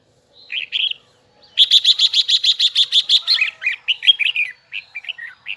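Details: Huế-type red-whiskered bulbul with a high double twisting voice gives a short chirp pair, then a rapid run of about a dozen bright, evenly spaced notes. These ease into varied slurred whistles and finish with scattered chirps.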